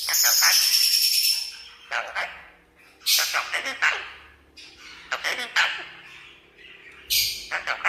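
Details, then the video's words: Teased pet red-breasted parakeet opening with a sustained shrill screech, then a run of rough, clipped speech-like squawks and a final sharp high cry, in a small room. "Vẹt Ngực Hồng biết nói"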